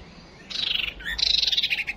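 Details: White-rumped shama, a female used as a lure to rouse fighting males: two short bursts of bright, high chirping notes, the second longer with a rapid pulsing trill.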